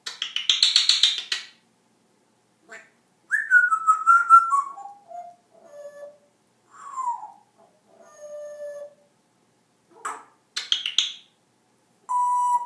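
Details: Pet African grey parrot talking and making funny noises: a harsh raspy squawk, then a run of falling whistled glides and short tonal notes, scattered clicks, another rough squawk and a final steady whistle.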